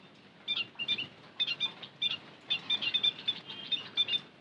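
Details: High, piping chirps of a white-headed munia lure call, short notes repeated in uneven groups, becoming a fast run of tweets in the second half.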